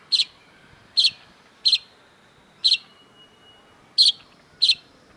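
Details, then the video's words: Cendet (long-tailed shrike), singing vigorously in a masteran recording: rough, buzzy, high double notes, six in about five seconds, each separated by a short silence. "cendet gacor MASTERAN CENDET DURASI PANJANG || Long-tailed Shrike"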